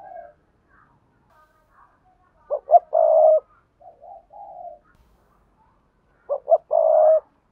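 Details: A spotted dove's lure song combining sa thúc, gù and gáy styles: soft scattered coos, then two quick notes and a long rolling coo, more low murmured coos, and the full phrase again.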